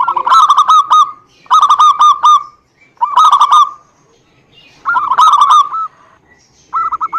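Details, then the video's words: Zebra dove cooing meant as a lure to stir a silent bird into singing; short bursts of rapid, rolling hooked notes, each burst about a second long, separated by gaps of roughly one second. "PANCINGAN SUPER AMPUH UNTUK PERKUTUT MALAS BUNYI"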